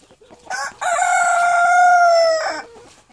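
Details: : Silkie chickens kept on a farm in winter; one long rooster crow, a short opening note then a sustained, slightly falling harmonic call lasting about two seconds, ending abruptly.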